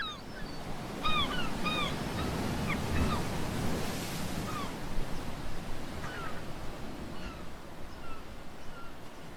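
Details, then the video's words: Seabirds at Fossils Beach, Basque Country, give short, nasal, clipped calls in little bursts of two or three over a steady roar of breaking surf. "THE SOUNDS OF THE SEA AND BIRDS SINGING"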